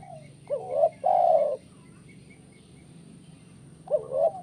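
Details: Spotted dove, 'kuk 1' style, played so birds sing actively: a hooked low coo and a long steady coo, quiet gap with faint high chirps of another bird, then the phrase starts again.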